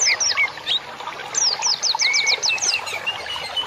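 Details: Birdsong for masteran training of cage birds: a burst of high downslurred notes repeated about eight times in a row, plus a longer rising whistle and scattered chirps.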